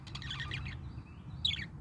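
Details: A pet parakeet's morning song indoors: a quick burst of scratchy, chattering warble notes, a pause, then a short bright chirp, over a low indoor hum.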